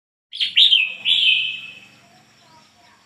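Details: A red-whiskered bulbul, a decoy bird, sings a brief, bright burst of liquid, slurred whistles, two quick notes then a longer fluty phrase, with faint low murmurs behind.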